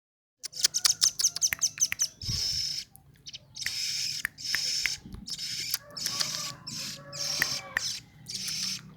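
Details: Velvet-fronted nuthatch calls, used as a lure for wild birds: a quick series of sharp high ticks, then repeated bursts of high, rapid chattering trills about a second long with brief pauses between.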